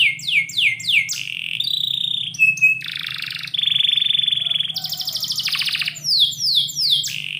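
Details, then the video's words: Morning canary song indoors: fast falling chirps, short level notes, a steady pure trill, then a harsh buzzy rattle and more quick downward swoops; low hum faintly beneath. "KICAU BURUNG KENARI - DIPAGI HARI DALAM RUMAH"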